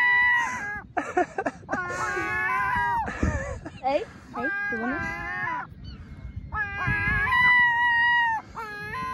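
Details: Gulls being fed a doughnut give harsh, wavering, cat-like mewing wails, about two a second with short gaps, some rising and falling in pitch.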